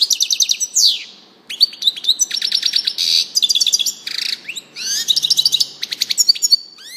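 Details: Long, varied European goldfinch song of tinkling twitters, descending slurs, buzzy rattles and rapid rhythmic trills, delivered in quick succession with only brief gaps.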